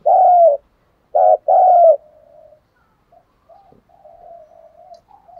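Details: Spotted dove used as a lure bird: one loud, gravelly coo, then a quick pair of coos, trailing into a series of faint, soft murmured coos.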